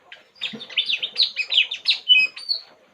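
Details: ['Relaxed puling bird produces a varied twittering phrase of high slurred chirps and short whistles, ending in a thin drawn-out note.']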